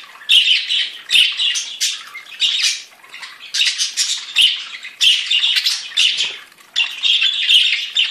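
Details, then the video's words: Several different budgerigars singing: dense, scratchy warbling chatter in bursts of about a second, mixing squawky notes and quick chirps, with short pauses between phrases. "Chant perruches"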